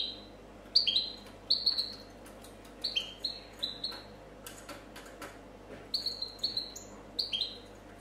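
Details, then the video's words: European goldfinch, champion of a 2014 competition, singing copia style: spaced, high, falling whistled notes in small groups, a brief gap with faint clicks midway, then another quick string of descending whistles. "Chardonneret chant copia champion 2014"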